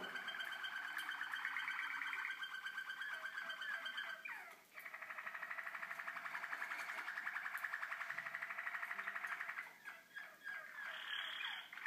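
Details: Indoors, 2012 recording of young Waterslager canaries: long, continuous bubbling rolls and warbled trills with a brief pause near the middle and a few sharp clicks near the end.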